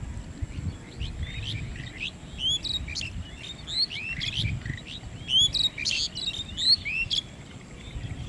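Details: Lesser whistling ducks calling in Manikganj, many high thin whistles overlapping in quick bursts, several birds at once, over low background rumble.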